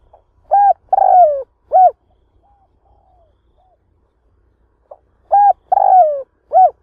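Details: A spotted dove serving as a trap decoy gives two coo-croo-coo phrases about four seconds apart, meant to excite wild doves. Faint low rumbling and soft murmurs lie between the phrases.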